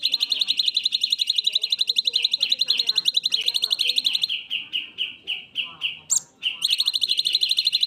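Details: A black-winged myna sings a long, rapid stream of high chattering notes. These slow into evenly spaced, lower chirps, broken by a sharp squeak, before fast chattering resumes.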